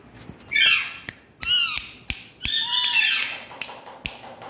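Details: Green Indian parrots playing in India give loud harsh squawks, some sweeping downward and some ringing with layered overtones, in separate bursts about a second apart, with sharp knocks and clicks between calls.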